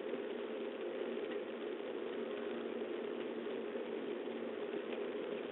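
Steady broadband rumble with a hiss-like texture throughout, resembling engine or boiling noise, with no animal calls heard.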